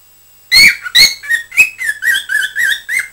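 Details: Pet cockatiel chattering, recorded 20 December 2007: after half a second of quiet, two loud harsh squawks, then a quick series of wavering whistled notes, about three per second.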